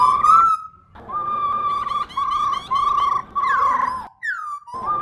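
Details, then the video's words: Female laughingthrush used to stimulate pet birds: clear whistled notes held in short segments at an even pitch, ending with a loud rising slur and a falling whistle after a gap. "Khướu Mun Mái RO RO VÍP Kích Trống Cực Đỉnh"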